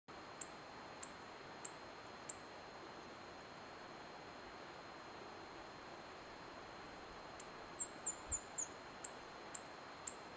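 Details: White-bellied hummingbird (Elliotomyia chionogaster) calling in Tucumán, Argentina: thin, very high chips about twice a second, a pause, then a quick descending run of chips, with a steady faint hiss behind.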